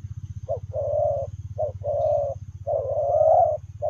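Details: Running spotted dove coos in the Lèo rồng manner, repeating a short note then a longer buzzy coo about once a second, the last coo rising slightly, with a low rhythmic hum in the background.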